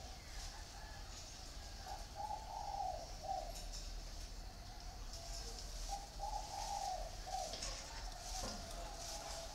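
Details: Caged spotted doves, one in a round bamboo cage and one in an iron cage, cooing in two low, mellow phrases of several soft, rolling notes separated by a pause, over a steady background hiss.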